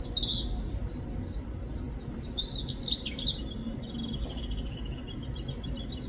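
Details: European robin song recorded in the UK, a sweet high warble of quick sliding notes and twittering trills that gradually drops in pitch and softens, with a constant low background hum.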